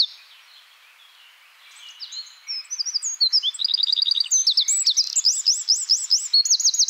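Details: Eurasian wren song building from faint notes into a loud, shrill outpouring of very rapid trills and rattles, the pace quickening with several distinct trill sections toward the end.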